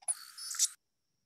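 Anna's hummingbird gives a brief, very high buzzy song phrase, a thin scratchy squeal lasting under a second that closely resembles its dive sound.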